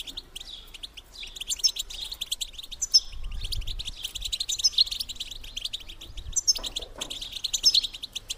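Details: European goldfinch female bitbita twitter meant to spur males into mating; fast, crowded chirping in repeated bursts, punctuated every second or so by thin, sharp rising notes.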